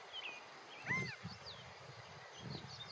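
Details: Male California quail sitting on a fence, calling out to others of his group: a single strong arched, down-slurred note, surrounded by thin chirps from other birds and low background rumble.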